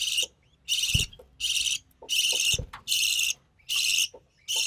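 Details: Budgerigar chick of the recessive pied type, born early June 2020, being fed by its Albino Red Eye mother; loud rasping, hissy bursts about half a second long come roughly once a second, separated by brief quiet gaps and soft knocks.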